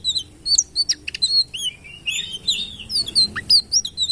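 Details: Citril finch singing a rapid, varied twitter of high whistled notes, short slurred trills and sharp chips, bright and continuous with few pauses, over faint low background hum.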